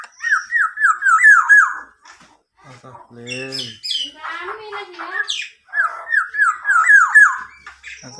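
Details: Tame, eagerly singing local black-naped oriole imitating a police car siren. Two bursts of quick repeated wavering whistles, about four per second, surround a middle passage of harsher notes and a human voice.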